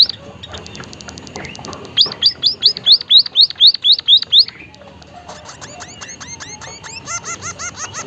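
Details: Chatty white-headed munia: a fast train of faint ticks, then a loud run of hooked, upslurred whistles, followed by quicker, softer, double-toned chirps in a steady rhythm.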